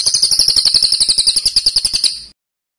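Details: Songbird on a master recording for training competition birds: a fast, very high-pitched buzzy trill lasting about two seconds, then silence.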